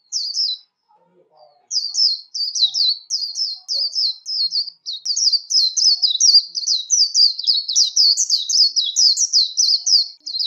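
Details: Warbling white-eye song used for competitive singing training, recorded free of background noise: after a brief opening note, a long unbroken stream of high, quick chirps rising and falling in a twittering warble.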